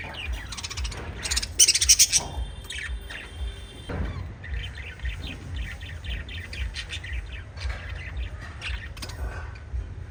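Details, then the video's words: Five lovebirds in a loud chorus of shrill, rapid chirps and squawks, dense and overlapping, with a brief harsh burst early on. "Five Little Lovebirds Chirping Sounds"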